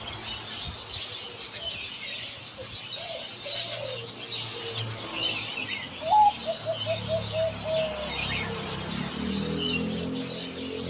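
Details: Zebra dove delivering a sudden burst of rapid staccato coos, a slightly higher opening note followed by a quick even string, after quieter scattered coos, with insect buzz and distant bird chirps throughout.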